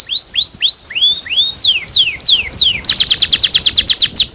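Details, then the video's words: Canary long song with 'cuit cuit' notes for tutoring young canaries: rising whistles, then falling whistled notes, breaking into a rapid repeated trill. "PANCINGAN Kenari GACOR PANJANG Cuit CUIT EMOSI ini AMPUH utk MASTERAN Kenari PAUD belajar BUNYI"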